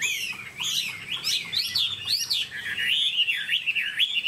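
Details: Caged Chinese hwamei singing: a rapid, varied run of loud whistled phrases sliding up and down, rich and fluty, with little pause between notes.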